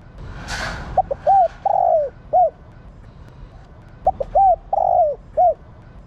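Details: Spotted dove, a female, coos to stir males into calling: two phrases three seconds apart, each with short hoots, a long falling note and a closing hoot; a brief noisy rustle opens.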